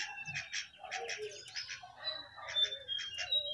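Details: A jongkangan sings from the top of its cage in short, bright chirps and thin whistles, the notes coming quickly in small clusters.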